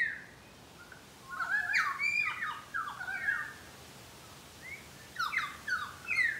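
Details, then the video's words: Pied currawongs in a Brisbane garden give two bursts of loud, gurgling, slurred whistles that rise and fall, separated by a short quiet pause. "Pied Currawong birds calling"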